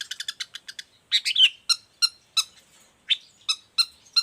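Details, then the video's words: Long-tailed shrike in full song, suited as a tutoring model for other shrikes. A quick burst of clicking notes, then louder scratchy chirps repeated roughly every third of a second. "Cendet gacor cocok buat masteran juga pancingan cendet lainnya"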